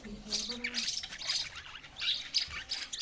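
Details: Budgerigar chirping, softer and more distant: bursts of high, scratchy warbling chatter separated by brief lulls, with a faint low hum early on.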